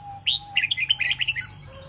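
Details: Red-whiskered bulbul in a Vietnamese singing competition, delivering a quick burst of about ten clear, whistled, chirpy notes within a second, over a steady high hiss and faint low hum.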